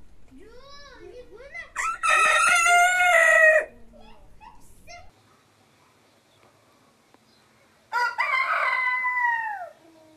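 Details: Rooster crowing: soft rising calls lead into a loud, strained crow of nearly two seconds, then quiet clucks and a pause before a second shorter crow that falls in pitch.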